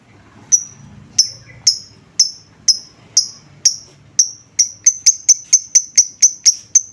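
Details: Lovebird lure sound for provoking other lovebirds to call back. Crisp, high ticking notes repeat steadily about twice a second, then speed up into a rapid, even ticking series.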